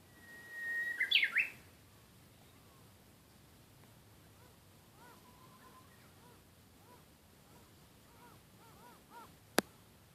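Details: Japanese bush warbler sings once: a level whistle breaking into a loud, twisting, rising flourish. Afterward, faint, repeated, arched calls from other birds continue, with a single sharp click near the end.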